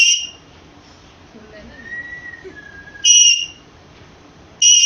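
A pet rose-ringed parakeet gives loud, piercing, level whistles, each about a third of a second, with a fainter gliding whistle between them against a quiet room.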